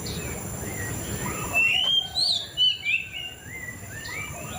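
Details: Song of a white-rumped shama, a quiet start leading into several loud clear whistles and rising-falling slurs in the middle, with faint chirps behind and a constant high hiss.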